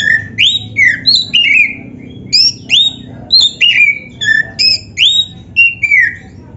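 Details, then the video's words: Oriental magpie-robin, the black-breasted form, singing a loud, gacor song meant as training and a lure to make other kept magpie-robins sing: clear whistled notes, slurred and falling, given in quick bursts about every half second, over a low background hum. "KICAUAN BURUNG KACER TERBAIK"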